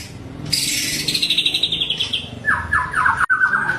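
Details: White-rumped shama, a fighter bird, singing sharp rapid-fire song meant to provoke other shamas: a fast run of high, evenly repeated notes, then a lower series of short slurred whistles repeated about three times a second.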